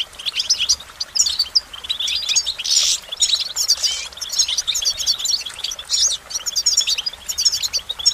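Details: A goldfinch's song runs on for eight seconds as a continuous, busy twitter of high chirps, buzzy trills and tinkling flourishes with only brief pauses between phrases.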